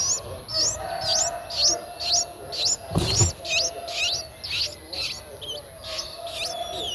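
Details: Nine-day-old Streak-eared Bulbul nestlings in Ubon Ratchathani, Thailand, on 11 April 2023, eyes open since day seven: thin high calls that sweep upward, repeated about twice a second, with one brief low thump midway.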